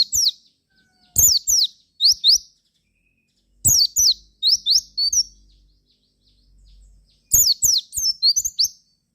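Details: Javan white-eye song played to draw replies from other white-eyes: repeated phrases of three to four high chirps, each dropping steeply then rising, with short pauses between groups.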